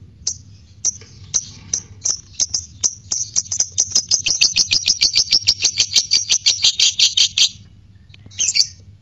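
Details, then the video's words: Lovebird ngekek, used as a bait recording to test a fighter bird's response: separate high chips that speed up into a dense, buzzing chatter lasting several seconds, then silence and one final squeaky note. "Pancing Birahi Tes Latah Fighter Lovebird Ngegek"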